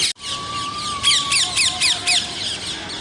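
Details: A series of sharp, bent screech notes repeated about every quarter second, with a steady thin whistle running below and a short gap right at the start.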